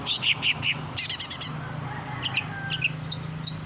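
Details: Long-tailed shrike song used for training caged birds: loud, scratchy chirps and a quick rattled series, then softer, scattered thin notes above a low hum.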